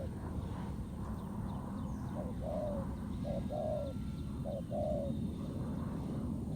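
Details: Wild spotted dove cooing in response to a ground decoy at a trap, bold like a warrior. Three low coo phrases, each a short note followed by a longer falling one, sound over constant low rumbling noise.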